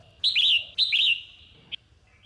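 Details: Red-whiskered bulbul of the Sông Kôn type in a morning singing session for training; two quick, rich warbled phrases half a second apart, then a single short chip.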